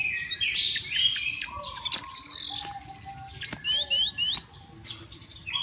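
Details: Captive orange-headed thrush, a contest champion readied by its owner at an Indonesian songbird gathering, singing rich varied phrases: clear whistles, quick rising and falling slurs, and bursts of high sweeping notes, with other birds faintly in the background.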